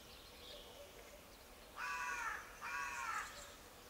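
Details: Raven croaking: two harsh, hoarse calls about half a second each, separated by a short gap, rich in stacked harmonics, standing out clearly over faint background hiss.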